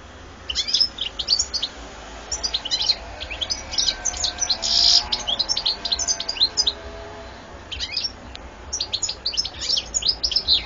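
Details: European goldfinch singing, recorded 2014: a long, fast, liquid twittering song of high tinkling notes and buzzy trills, nearly continuous for about seven seconds, a brief pause, then renewed rapid chattering phrases.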